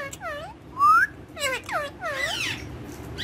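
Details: Pet Indian ringneck parakeets having fun on a table, said to be talking in Urdu and Hindi; a run of clear, arched, harmonic squawks and whistled slurs, one sharp rising whistle, with room hum behind.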